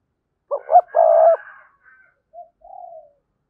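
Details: Spotted dove cooing as a lure for wild doves: two quick notes and a long low coo, then a fainter drawn-out coo trailing off after a gap.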